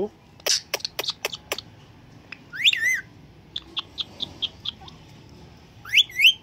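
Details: Caged Indian green ringneck parakeet vocalising: a quick run of sharp clicks, then quick rising whistled sweeps mixed with short buzzy notes, with a second rising whistle near the end.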